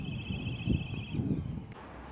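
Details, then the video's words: Black Kite in green parkland of Central Delhi, a sharp, whistling call: a quavering, slightly wavering high note held about a second, then fading, over low rumbling urban traffic noise. "Now You Know Who Makes This Sound, Ep I - Black Kite"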